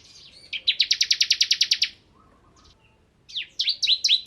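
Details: Crystal form of bar-winged prinia singing in rapid 'nembak ngebren' style: a dense, even rattle of roughly fourteen high clipped notes, a quiet pause, then a burst of descending chirps.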